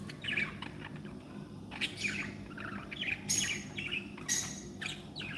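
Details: Several happy pet budgerigars chattering together, quick overlapping chirps and warbles with a few sharp louder calls, continuous through the recording above a low hum.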